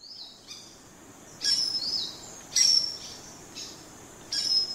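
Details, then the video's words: Common starling gives a soft rising whistle, then several loud, hissing bursts topped by a sharp high whistle, repeated about every second and a half. "Скворец. Часть 2. Голоса птиц"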